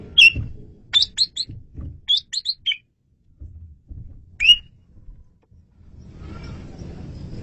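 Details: Bright whistled Asian pied starling notes for luring birds: an opening slurred whistle, then clipped, high, chirpy notes in quick groups, and a lone loud whistle before a noisy rumbling end.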